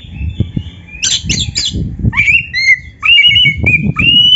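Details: Song of a white-rumped shama used to get other birds singing: a burst of harsh chatter, then clear whistled notes repeated about once a second, over low background rumble.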